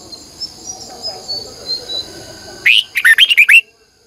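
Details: In the morning, a red-whiskered bulbul lure bird delivers its long twisting double-voice song: one emphatic burst of about seven quick liquid whistles, preceded by soft faint chirps and high thin tones in the background.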